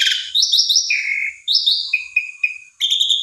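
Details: Asian pied starling, a bird used to provoke another stalled starling into singing: varied loud whistles and slurred notes, some held flat, some falling, with short rasping bursts between phrases.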